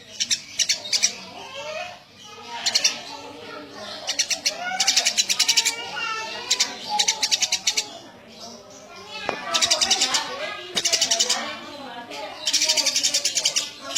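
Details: Eurasian tree sparrow in lively, chatty voice, giving a busy run of quick high chirp bursts every second or so, some in tight rattling groups, with faint lower murmuring and background noise underneath.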